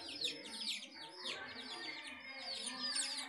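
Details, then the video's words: Chicks with a house hen, heard as a brief stretch of continuous shrill, falling peeps crowding over one another, softer and steady for about three seconds. "House Hen and Chicks"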